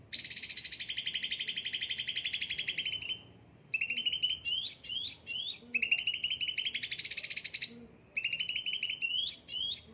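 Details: Cucak ranting with ocean green plumage and a yellow head, a pampered bird singing energetically: long high rattling trills broken by short pauses and sharp rising chirps, with the trill returning twice.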